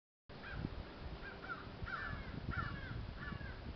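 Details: Crows at St Stephens giving harsh, hoarse caws, about five calls in quick succession with irregular gaps, over a steady low rumble of background noise.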